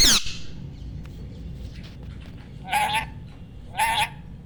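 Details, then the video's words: A pet rose-ringed (ringneck) parakeet at home gives two harsh, raspy squawks about a second apart, with a sharp click at the start and a quiet background hiss. "Real Sound of Parrot"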